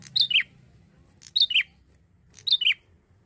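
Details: Energetic singing from a young male bar-winged prinia: three rapid phrases, each a bright high chip dropping into a lower rasping note, about 1.1 seconds apart.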